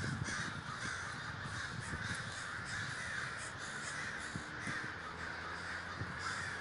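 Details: Crows massing in a large communal gathering at Davis, California, many birds cawing at once in a steady harsh din, individual rasping caws poking out now and then over a low background rumble.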